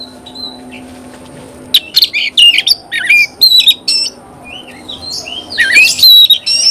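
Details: Energetic Oriental magpie-robin song, used to stir other magpie-robins: a near-silent start, then a rush of sharp, scratchy bursts and swooping whistled phrases, ending in bright, ringing high notes.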